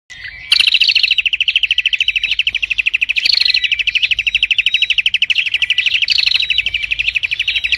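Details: Prinia singing nonstop, a fast, dense run of sharp, high chirped notes repeated several times a second, with brief higher flourishes every couple of seconds.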